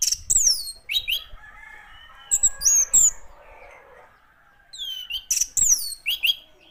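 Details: Orange-headed thrush giving sparse, high whistled phrases with sharp downward slides, separated by pauses of a second or more, over faint low background noise.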